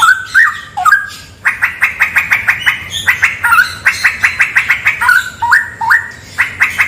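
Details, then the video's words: Straw-headed bulbul singing, recorded in a cave said to be haunted: rich, loud whistled phrases, a few slurred stepping notes followed by a fast run of sharp, bright repeated notes, with short dips and warbled turns between bursts. "MP3 suara cucak rawa"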